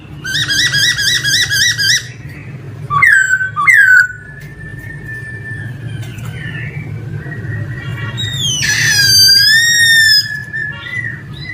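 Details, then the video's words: Song of a male laughingthrush: a quick trilled burst, sharp descending whistles, then a long sustained whistled note and a bright rising phrase, with steady low background hum. "Khướu trống hót hay nhất"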